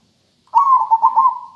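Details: A local zebra dove gives a melodious rhythmic song: one rolling, purring phrase of quick pulsed coos at an even pitch, fading at the end.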